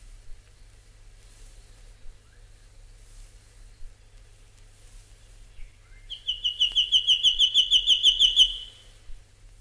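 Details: Albert's lyrebird from an Australian bird-call record: after near silence, a loud burst of about fifteen sharp, evenly spaced whistled notes in roughly two seconds, over a low steady hum.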